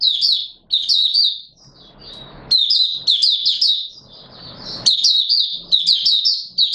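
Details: Caged Oriental white-eye in 'buka sing' (opening song) style, recorded 24 March 2022: rapid, high, tumbling twittered phrases of short chirps, broken by pauses filled with soft background hiss.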